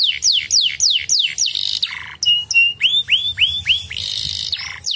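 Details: Canary singing, intended to prompt other canaries to sing: quick series of descending whistled slurs, a buzzy low tour, short level whistles, then rising arched notes repeated about every third of a second and a harsh rattling roll.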